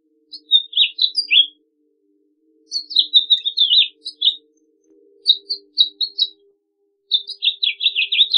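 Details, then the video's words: House finch delivering four separate warbled phrases, each a quick jumble of high slurred notes, the last ending in a buzzy, rapidly repeated trill, separated by short pauses. "Pinzón Mexicano / Carpodaco Canto! Llamado! Cantando! - House Finch Song - Haemorhous Mexicanus"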